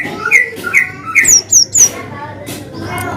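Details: Gacor cinereous tit with long 'wucit' and 'ngalas' variations, meant to stimulate quiet birds to sing: a few mid-pitched chirps followed by three high, falling whistled slurs, with faint music and voices behind.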